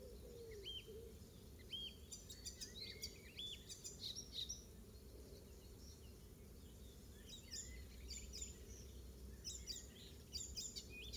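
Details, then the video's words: Garden-singing Icterine warbler, Pieterburen, 17 May 2022, known here for oystercatcher mimicry; scattered high whistled upslurs and chirps early, then clusters of sharp, very high ticking notes and squeaks, over a constant low background hum. "Icterine Warbler song includes Oystercatcher mimicry"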